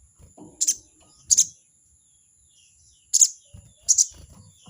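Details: Crested jay giving its chattering 'crecet' call to challenge a rival: four sharp, harsh bursts in two pairs, spaced irregularly, over a steady high electronic-sounding whine and faint low thumps.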